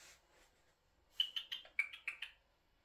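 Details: Eurasian jay kept inside a house, where it behaves like a person, talking and walking on the floor: a quick run of about seven short, harsh, scratchy notes, evenly spaced, in a quiet room.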